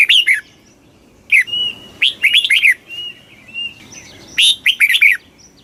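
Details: Red-whiskered bulbul delivering the rapid 'kích bổi' song, several tight clusters of bright, bouncy whistled notes in quick succession, mixed with a steady thin whistle and soft background chirps.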